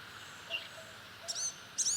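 Blue-gray gnatcatcher giving a faint thin note, then two high, wheezy, nasal calls about half a second apart, over a soft outdoor hush.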